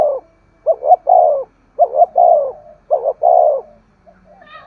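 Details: Spotted dove giving the urging 'thúc gù' coo, used to stimulate decoy doves into cooing. Three low, mellow phrases, each two short clipped notes rolling into a longer falling coo, repeated about once a second.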